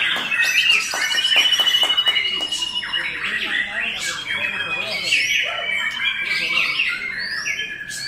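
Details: White-rumped shama (murai batu) song: a rapid, fast-repeated run of sharp chattering notes, then a high sustained whistle, followed by varied rising and falling whistled phrases mixed with clicks.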